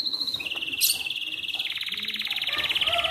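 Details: Atlantic canary morning song meant to prompt other canaries to sing: a high whistled note dropping into long, rapid, steady buzzy trills that continue throughout, with a brief sharp chirp near the start.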